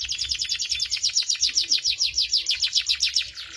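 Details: A canary pours out a fast continuous trill of crisp, slightly descending notes, about three to four each second, bright and high with a faint low hum beneath.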